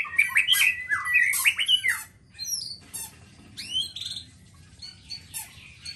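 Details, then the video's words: Black-tailed white-rumped shama of the Nias type singing a rapid, varied song: dense bursts of sharp whistled and harsh notes in the first two seconds, then quieter scattered high whistles and chips. "Murai batu ekor hitam||Nias raja"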